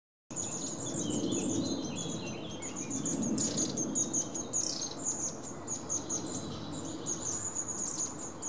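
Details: Long-tailed tit (Aegithalos caudatus), recorded 12 May 2018: thin, very high, rapidly repeated contact calls broken by a few short sputtering chirps, over a steady low background rumble.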